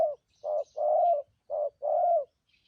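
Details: Two coo pairs from a wild-caught spotted dove used as a trapping decoy: each a short hoot followed by a longer, steady, slightly falling hoot, in thúc gù style, with faint high bird chirps.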